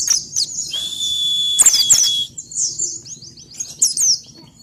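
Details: Ngalas-type Pleci (white-eye) lure song used to make birds sing quickly: a long thin whistle with high twitters, followed by rapid, slurred, descending chirp series about four per second, over a soft low background hum.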